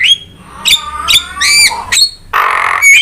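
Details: Javan myna song for provoking and training other birds: a thin level whistle, sharp clipped notes, and a long loud harsh rasp before a final whistle.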